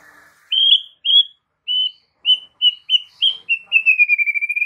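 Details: White-rumped shama master song, used to make other shamas respond: a soft low opening, then clear whistled notes spaced about half a second apart, speeding into a rapid, regular trill that fades gradually.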